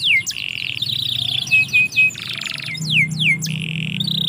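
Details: Canary song from a yard: smooth held whistles and buzzy trills alternate with sharp downward-slurred notes, delivered in a steady flowing sequence.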